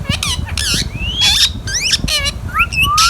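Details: Pet Indian ringneck parakeet in a loud burst of raspy, speech-like squawks broken by thin rising whistles, close and dominant over faint low noise.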